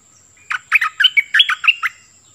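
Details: Energetic song from a cream-vented bulbul kept as a decoy: around nine bubbly, liquid notes in quick succession, rising and dipping in pitch, with no other birds audible.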